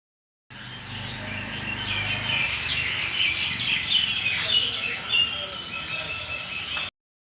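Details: A talking rose-ringed parakeet chatters in a steady stream of high, scratchy chirps and squawky syllables for about six seconds, over a faint low hum.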